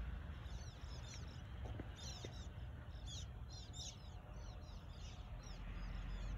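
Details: Near Rheinau, several sand martins give short, dry, buzzy chirps in quick overlapping bursts over a steady low rumble of wind or distant noise.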